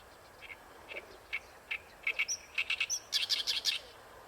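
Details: Oriental reed warbler at Ikejima in full song; separate creaky notes speed up into a fast, loud run of grating, chattering phrases with a brief high whistle.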